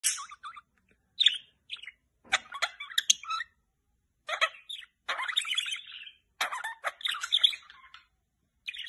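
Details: Budgerigar chattering: bursts of scratchy warbles, sharp clicks and bright high chirps tumbling together with short pauses between, busy and irregular throughout.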